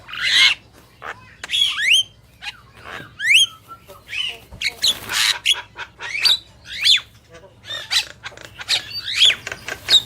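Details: Male and female Javan mynas singing: rising whistled slurs alternate with raspy, scratchy calls in uneven bursts roughly every second.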